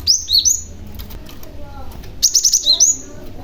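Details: Young Cinereous tit used as a lure for other tits; a few high falling chirps, a quiet gap, then a quick stuttered run of sharp notes ending in a slurred whistle.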